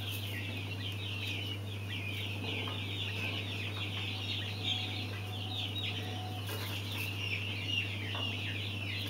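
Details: Many mountain quail chicks cheeping together, high rapid chirps running on without pause over a faint steady electrical hum.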